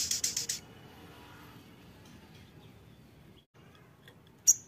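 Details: A Crimson sunbird in lively, excited song gives a quick burst of five very high, sharp chips, then falls quiet before one more bright note; faint background hiss throughout.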